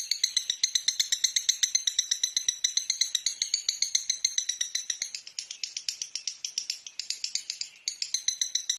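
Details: Lovebird master song, used to train other birds: an unbroken stream of rapid, harsh, buzzy chattering notes, about four per second, with brief breaks near the middle and end, recorded close and clean.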